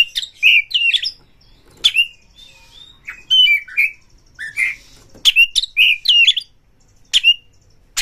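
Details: Agitated Oriental magpie-robin song used to provoke a rival: loud whistled phrases of swooping and downslurred notes repeated in quick groups, with thin high notes and soft twitters between them.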